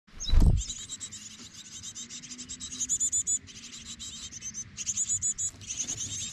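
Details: Japanese tits, two parent birds carrying caught food without rest to their nest beside a road, satoyama countryside, Kamogawa, Bōsō, Chiba, Japan, 4 May 2021. Very high, thin chittering notes come in rapid repeated bursts, with a low thump at the start.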